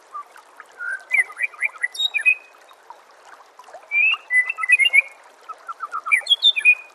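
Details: Training song of the white-rumped shama for songbirds to learn: bursts of quick twittering and slurred whistled notes separated by brief pauses, ending in a high chattering phrase.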